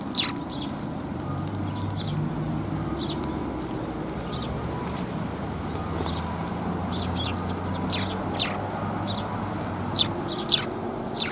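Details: Eurasian tree sparrows gather to be fed at a Tenmangu shrine on 10 January 2022; brief high chirps sound irregularly throughout, several louder toward the end, over a low rumbling background hum.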